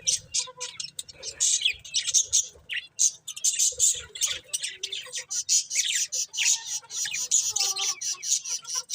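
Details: Several colourful pet budgerigars chirping: a dense, continuous chatter of high, sharp chirps and scratchy warbles, overlapping with barely any pause, with brief louder squawks mixed in.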